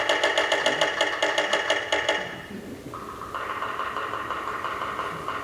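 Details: Yellow-bellied sapsucker territorial drumming on a resonant metal surface, as sapsuckers do on nail boxes, signs or roofs: about a dozen ringing taps in two seconds, unevenly spaced and slowing, then a steady humming tone stepping up in pitch.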